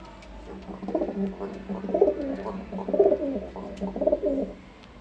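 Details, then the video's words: Male domestic pigeon calling in an indoor loft after the female that was with it died; a run of throaty, rolling coos comes in rough bursts about once a second, with faint room noise behind. "এই নর কবুতরটা কিভাবে ডাকতেছে দেখুন, এটা হলো আমার নর কবুতর।"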